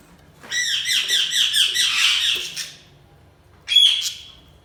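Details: Budgerigar chirping: a rapid series of scratchy, repeated warbling notes for about two seconds, then after a pause a loud sharp squawk trailing into a thin whistle, faint low hum behind.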